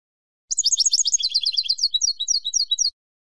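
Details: Rapid, tinkling song of a Spanish European goldfinch, about two and a half seconds of very high, jangling, closely packed notes with a liquid twitter, recorded cleanly without background noise.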